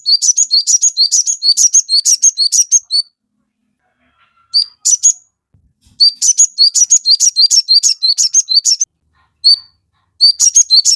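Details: Crested jay (sogon) singing hard to stir other birds into calling back: fast, repeated high chirping phrases, roughly three notes a second, in bursts broken by short gaps.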